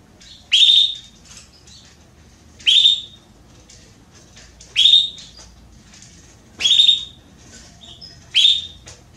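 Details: Belgian canary hen calling to solicit mating, five sharp high chirps evenly spaced about every two seconds, each an upward flick into a steady note, with faint softer chips between.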